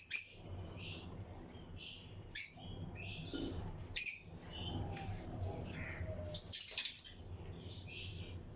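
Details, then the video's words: Lutino lovebirds in pairs in a breeding colony aviary, chirping alongside other birds: scattered sharp, high chirps and short squeaky notes spread across the stretch, with a few louder bursts near the end and a low background hum. "Lutino Lovebirds Breeding Colony Cage - Chirping and Relaxing Sound"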